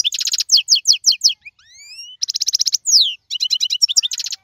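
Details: European goldfinch from the wild, 2022 season: dense tinkling trills broken by long rising whistled slides, then more fast chattering phrases and a short descending note.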